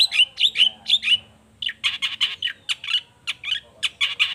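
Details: Long-tailed shrike singing emotionally to make other shrikes reply: quick series of harsh, chattering notes delivered in tight groups with a short pause midway, steady and loud throughout.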